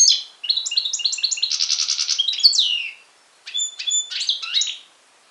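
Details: European goldfinch x canary hybrid singing in Syros, Greece, July 2007: a fast run of bright twittering notes and trills, then a short pause and a few clear whistled and buzzy phrases.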